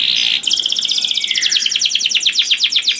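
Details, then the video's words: Clear, loud canary song for luring other canaries: a high warble opens into a long rapid trill of repeated chopped notes that grow more separated and sweeping toward the end. "Burung Kenari Bunyi Gacor Merdu dan Keras Cocok Sekali Untuk Pancing Kenari Lain || Voice of Canary"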